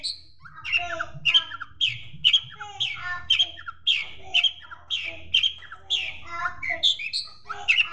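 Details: Long-tailed Shrike song mixing in sparrow mimicry. Dense, squeaky chirping with layered whistles runs almost continuously for eight seconds, in loose beats about a second apart.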